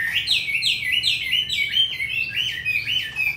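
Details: Hwamei kept in a cage in Hanoi, Vietnam, with a fine forest-type voice: quick, clear whistled notes rolling in rising and falling loops, repeated several times a second.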